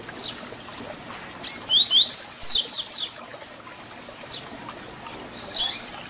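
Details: Double-collared seedeater (papa-capim) singing a tui tui zel zel style song used for teaching young birds: a burst of rapid, high, sharply slurred notes around two seconds in, fainter scattered chirps before and after, over steady low hiss.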